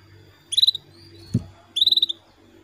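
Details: Female canary calling the male, played to stimulate male canaries to sing; two quick bursts of five or six sharp, high chirps a little over a second apart, separated by a single dull knock.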